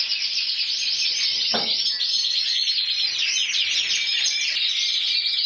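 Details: Champion intense yellow canary from Spain 2014 giving a continuous fast trilled song, with a brief soft knock in the first seconds, then quick chattering notes.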